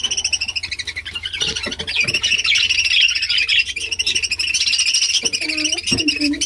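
Budgerigars chatter in a dense, continuous warble of high chirps and twittering notes, with a few lower sounds and faint human voices beneath.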